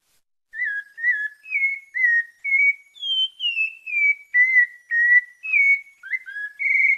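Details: A sabiá-parda thrush of Bahia, Brazil, gives its melodious 'santa fé' song: about a dozen short, clear whistled notes at a measured pace, wavering up and down in pitch, with one high slurred note midway.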